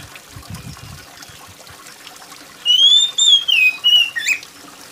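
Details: Oriental magpie-robin singing loudly, played to make lazy birds sing, with rain sounds: soft patter at first, then a long rising-and-falling whistle and a quick chain of sliding notes.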